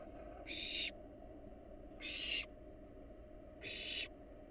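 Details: Wild barn owls at a monitored nest box, recorded by a nest-box camera. Three harsh, hissing screeches, each about a third of a second long, come roughly every one and a half seconds over a steady low background hum.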